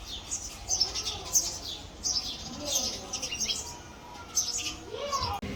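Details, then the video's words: Male house sparrow giving bright, clipped chirps in uneven clusters, some notes sliding quickly downward, over a soft background hiss with a few lower murmurs. "Male Sparrow Call, Male Sparrow Chirping Sound"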